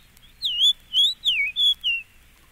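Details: Fox Sparrow song from a set of eastern bird recordings: a rich, clear whistled phrase of five slurred notes over about 1.6 seconds, sweeping up and then down, with the middle note dropping lowest, against a quiet background.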